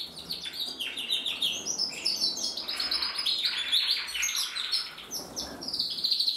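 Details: Red-mosaic male canary sings a steady, high stream of bright chirps and rolling trills, with quick pitch changes and barely a pause.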